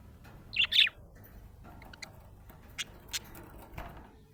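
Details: Happy budgerigar chirping: a pair of loud, bright, quick chirps near the start, followed by faint clicks and soft ticking in a quiet room.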